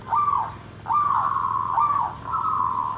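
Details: Perkutut (zebra dove) singing in the nggandem gedhe garing style: a short first coo followed by long, sustained, warbling cooing notes held at an even pitch, with quiet background hiss.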